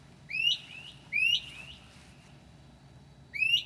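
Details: Northern mockingbird at 2 a.m. on 9 July 2008, copying other birds' calls: three loud rising whistled phrases, each a quick upsweep followed by a level tail, with long gaps between, night otherwise quiet.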